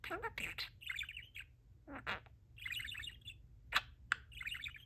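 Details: Pet budgerigar happily chattering with its owners, several bursts of buzzy, trilled warbling separated by short pauses and a few sharp clicks, recorded indoors with a low background hum.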